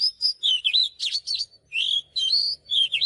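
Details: Oriental magpie-robin song used for songbird training: almost continuous varied whistled phrases, with swooping slurs and harsher buzzy notes, over a faint low hum.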